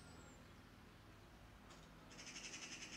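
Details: Adult Eurasian magpies keep calling around their barely flying youngster in a tall lilac bush under threat from a cat; one brief harsh note, then a fast, even rattle of repeated grating notes.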